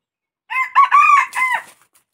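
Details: Red junglefowl crowing: a loud, ringing crow in four quickly joined parts, the middle part longest and steady, the last falling away, all over in just over a second against a quiet, clean background.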